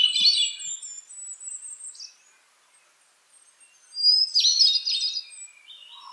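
Hermit Thrush song: two ethereal phrases a few seconds apart, each opening on a clear held note and breaking into fluty, tumbling flourishes; another bird sings faintly.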